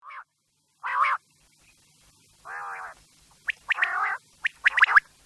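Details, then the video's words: Quail calls meant for night use: nasal, buzzy harmonic bursts about a third of a second long alternate with sharp, high, clipped notes given in quick clusters, with silent gaps between them. "Quails sound specially for night | Raat k liye zabrdast batair ki awaz | رات کے لیے زبردست آواز"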